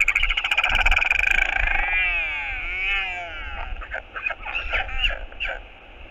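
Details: Skycall of love from a northern royal albatross greeting its returning partner on a nest cam, 11 February 2022: rapid rattling pulses lead into a long, wavering, harmonic braying call that bends up and down, then choppy calls over wind.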